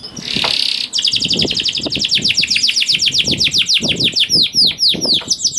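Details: Canary song meant to trigger other canaries: an opening harsh buzzy burst, then a long rapid series of sharp descending chirps, about four per second; low background rumble.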